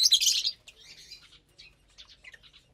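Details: Lovebirds feeding together on a Saturday morning in April 2022 give one loud, harsh, high chirp burst, followed by quieter, scattered squeaks.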